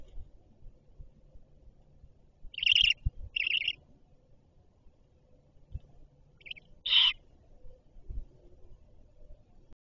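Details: Great horned owl at its nest while the mother comes with food: a pair of quick raspy screeches, a pause, then a louder harsh rasping screech, over quiet low rustling.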